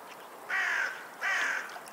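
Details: Sea birds calling on a seashore with waves: two loud, drawn-out, slightly falling cries, each under half a second long, spaced about three quarters of a second apart over a soft, steady hiss.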